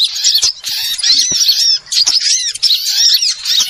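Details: Small-bird lure sound for trapping, full of sharp high twitters and sweeping whistled notes that curve up and down, several birds overlapping in dense bursts with short breaks.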